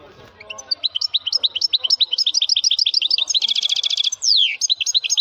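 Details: Male European goldfinch singing with a strong voice: quick, high, liquid twittering notes in a fast series, then a buzzy rattling trill and a sharp downward-swept note, with nothing else heard.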